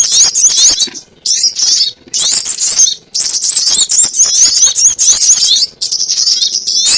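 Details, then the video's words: Sogon ontong trapping lure: repeated phrases of high, squeaky, warbling chatter broken by short silences, with quick upward and downward notes. "SUARA PIKAT BURUNG SOGON ONTONG"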